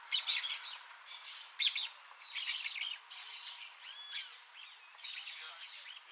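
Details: Blaze-winged parakeets in Mato Grosso do Sul, Brazil, give harsh, scratchy chattering bursts in quick succession, mixed with a few thin whistled notes from other small birds.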